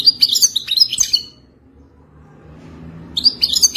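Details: Authentic Wadani-style song of a wild European goldfinch, sung for mating: a quick burst of bright, high chirps and trills, a long pause over low background hum, then the lively twittering starts again.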